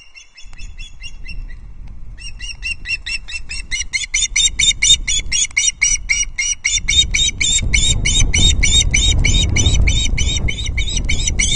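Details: Osprey chick at Loch Arkaig, 19 August 2022, begging while being fed its second fish of the day: a steady run of sharp, high, harmonic chips repeated about twice a second, with low rumbling noise in the nest below.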